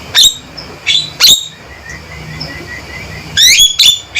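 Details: Male Javan myna giving loud, sharp calls: a few abrupt, harsh notes with high whistled overtones, spaced irregularly across four seconds with quiet gaps between.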